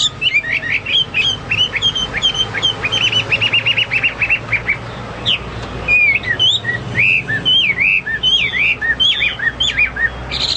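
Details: Hwamei, a lively singer recorded as tutor material for caged birds: fast stuttering trills and repeated short whistles, then a varied sequence of looping, sweeping whistled notes.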